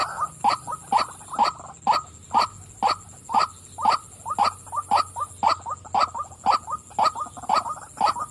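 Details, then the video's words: Female white-breasted waterhen calling: a long series of harsh, nasal croaking notes, often in quick pairs, repeated about twice a second at a steady pace, over a thin constant high-pitched electrical whine. "burung wak wak betina suka memanggil"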